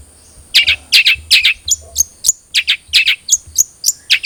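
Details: Cendet trotol long-tailed shrike lure song for prompting a caged bird to sing: rhythmic paired harsh chirps alternating with thin, high whistled notes, repeated about two to three times a second.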